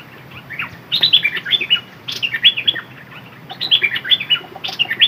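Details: Decoy red-whiskered bulbul singing dok taeng phrases: quick chirpy whistled notes that step up and down, delivered in three lively bursts with short gaps between them.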